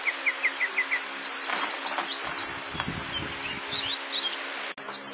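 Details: Crested bunting song opening with a fast series of short, high, evenly spaced chips, then louder upswept whistles and softer trailing notes. A brief rustle or flutter partway through; quiet outdoor background.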